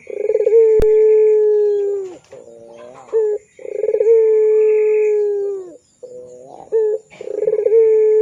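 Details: Puter pelung Barbary dove calling, in a lure recording meant to tutor young birds: long sustained low coos that start with quick pulses and sag at the end, alternating with short, lower wavering phrases and clipped notes.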